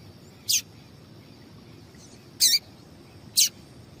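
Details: A female double-collared seedeater calls to stir males into song for singing competitions; three isolated, very high, clipped chips arrive at irregular gaps of one to two seconds against steady low hiss.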